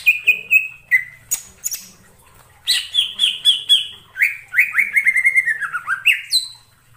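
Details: Greater green leafbird singing in the wild in forest: loud, clear whistled phrases, sliding notes and quick chattering runs high in pitch, with brief pauses between bursts.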